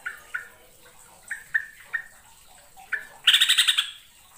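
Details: Trucukan, the yellow-vented bulbul of East Java, Indonesia, singing on a lure recording: a series of short whistled notes with pauses, ending in a loud fast bubbling, chattering phrase.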